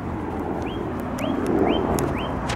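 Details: Singing northern cardinal, Savannah, Georgia, 4 April 2022: four evenly spaced rising whistled slurs, each levelling off at the top, set against heavy low traffic rumble.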